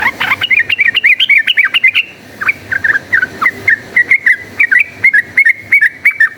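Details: Yellow-vented bulbul singing a fast fighting song, used as a lure to make other bulbuls combative: a quick run of bright, bubbly notes, then a brief pause and a steady series of clipped chirps repeated several times a second.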